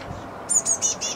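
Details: A great tit chick on a balcony on May 29, waiting to be fed, gives four thin, very high, slightly hissy begging notes in quick succession over a faint background hum.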